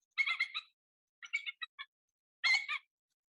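A Bald Eagle gives three bursts of thin, high, squeaky chattering notes: a rapid twitter, a slower string of piping notes, then another chatter. No other sounds.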